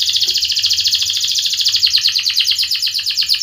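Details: Canary singing loud, long continuous song used to stimulate silent and young canaries to learn to sing; a rapid steady trill of repeated buzzy notes, about seven per second, held without a break.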